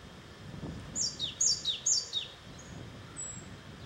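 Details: A Japanese tit sings in the mountains of Kanagawa, Japan, on 28 May 2010, giving three quick, high, descending phrases about half a second apart, then a couple of thin whistles over a low background rumble.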